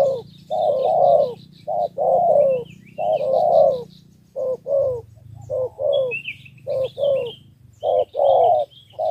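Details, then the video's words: Spotted dove from Ca Mau, Vietnam, giving 'thổ 3 âm' three-note coos to attract wild doves. Deep paired coos repeat at an uneven pace, with high chirping of small birds scattered between phrases. "2 kèo thu phục bổi đồng và thổ 3 âm"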